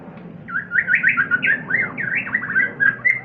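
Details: White-rumped shama (Copsychus malabaricus), song.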